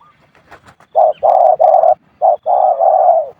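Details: Spotted dove cooing in its usual khu-ang style: a run of loud, full, low coos, some short and one long and steady, after brief clicks and faint voices.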